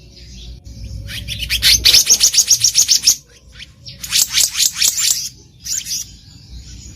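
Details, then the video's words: Black-naped monarch in the wild, recorded as a lure: a rapid chattering run of buzzy, scratchy high notes, then a second rasping burst and a short final call. "SUARA ASLI BURUNG KEHICAP RANTING DI ALAM LIAR"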